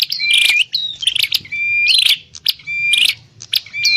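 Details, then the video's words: Prinia (prenjak klawu) calling in a recording made as bait for bird trapping; bright whistled notes with slight upward bends mixed with dry chattering, four tight phrases in quick succession. "Suwara Burung Prenjak_klawu Buwat_Mikat"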